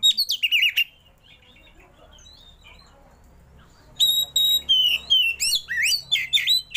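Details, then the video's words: Kacer, or oriental magpie-robin, delivering a 'roll tembak' song full of borrowed phrases as it spreads its tail: a burst of sharp whistles, nearly three seconds of near-silence, then a rapid string of clear, falling whistled notes. "KACER ISIAN MEWAH❗KACER ROLL TEMBAK BUKA EKOR"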